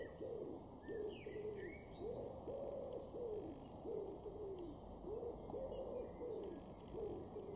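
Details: Garden wood pigeon recorded in June 2022 at Weener, East Frisia, Germany, giving low muffled coos in a repeating phrase of rounded notes with brief gaps, while small birds chirp faintly and a steady hum runs behind.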